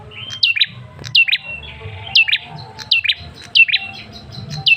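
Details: Male Ashy Tailorbird calling as a lure to draw responses. Crisp notes drop from high to mid pitch, each followed by a short note, with steady whistled tones between the phrases. Phrases come roughly every second.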